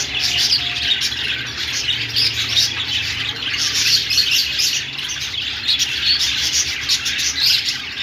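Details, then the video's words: Sustained budgie chatter, with countless overlapping chirps and warbles forming a continuous high buzz of voices. "Australian parrot singing |love birds sounds |parakeet chirping sounds |budgies"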